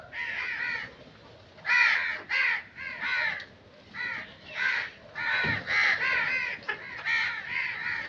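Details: Crows in nature giving repeated raspy caws, short harsh notes spaced irregularly, some in quick pairs, over a faint background hiss.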